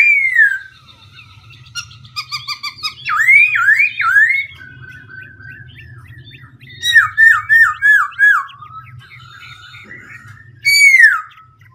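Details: Black-throated laughingthrush switching its song continuously: slurred whistles, a stuttering series of high chips, then looping, wavering whistled phrases repeated about three to five times in quick bursts, and a final sharp rising note.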